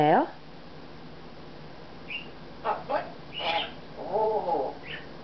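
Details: Congo African grey parrot in a room, December '08, talking: a sharp opening squawk, short whistles and clipped speech-like syllables, then a drawn, wavering voiced phrase and a final high whistle.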